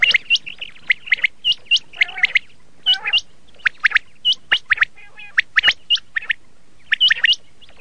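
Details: Rapid series of sharp, hook-shaped rising chirps from red shade common quail, often in pairs, with occasional rasping notes and brief pauses.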